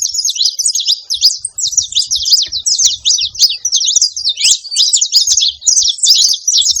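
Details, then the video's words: Saffron finch singing in nature: a loud, unbroken stream of rapid high twitters and sharp zigzag chirps, tumbling notes packed closely together with only brief pauses, over an otherwise quiet background. "cantoria de canário da terra na natureza"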